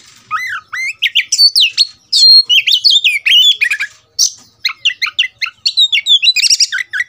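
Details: Oriental magpie-robin (kacer) provoked to fight, singing agitated: loud varied whistles, sweeping slurred notes and harsh chatters in rapid bursts, high-pitched, with short pauses between phrases; faint low ticking beneath.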